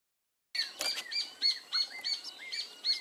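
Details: Zorzal blanco thrush chicks beg with high, thin, squeaky chirps, several overlapping, repeated about three times a second with slight rising and falling inflections.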